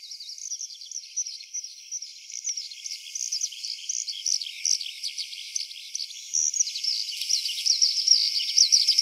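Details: While out on a walk, a Eurasian skylark sings as it descends from high overhead into a farm field, pouring out a long, unbroken stream of rapid, high chirps and trills that swells louder toward the end.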